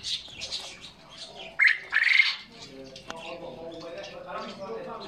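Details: Common quail at a pet rescue in Stoke-on-Trent, 25 April 2022, giving a short, harsh, squawking call in two quick bursts, over faint chirps and low murmuring voices.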